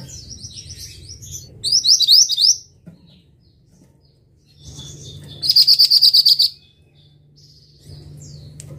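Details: Masteran training recording of a Pied Bushchat (mantenan) singing two bright, high-pitched bursts of quick repeated rising notes, each about a second long and several seconds apart, over a steady low background hum.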